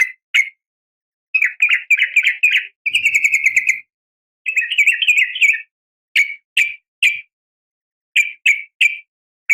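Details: Female yellow-vented bulbul's calls to the male: scattered sharp chirps, bouncy chattering runs and a fast even trill, then more spaced single notes.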